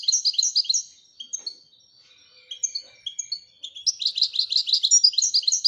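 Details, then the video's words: Singing European goldfinch gives rapid liquid twitters, pauses for thin high whistled notes, then returns to a dense run of quick chirping trills. "Le twitter et chardonneret royalتغريد طائر الحسون الملكي"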